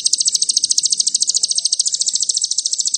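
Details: Crimson sunbird trilling in the fast cililin style, a lure meant to provoke other birds. A dense, high, evenly pulsed buzzy trill continues throughout, with faint low background noise.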